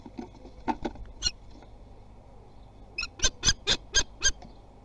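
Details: Young common kestrels testing their wings, Théding, France, 24 June 2020; scattered soft notes and clicks at first, then a burst of six shrill, harsh notes in quick succession, with light rustling throughout.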